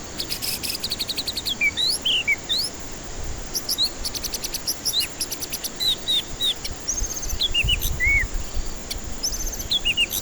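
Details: White-rumped shama song used as a lure for stressed birds that will not sing: varied clear whistled phrases, short rising and falling notes and sharp upslurs, with rapid ticking clicks and a steady high insect-like hiss throughout.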